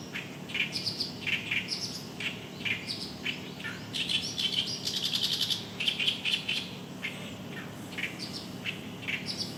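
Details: An Oriental Reed Warbler sings loudly in an early-summer reed bed at Kitamoto Nature Observation Park, its phrases rendered 'gyogyoshi, gyogyoshi'. Grating, croaking notes pour out in a continuous jumbled stream, with louder rasping clusters midway and steady soft background hiss.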